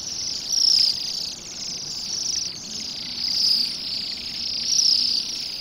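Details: A flock of Bohemian waxwings feeding on rowan berries on an overcast December day by a roadside yard in Pushkin, St Petersburg, Russia, gives a steady wash of high, thin, ringing trills, swelling and fading every second or two as birds overlap.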